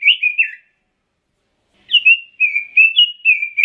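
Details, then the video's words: Pekin robin song: a brief whistled phrase, over a second of silence, then a longer run of clear, mellow whistled notes that waver up and down. "Kicau Burung ROBIN"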